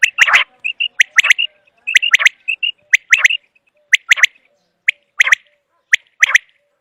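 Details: Common quail used as a hunting call: paired sharp clicks and raspy notes about once a second, with soft short whistles between some groups.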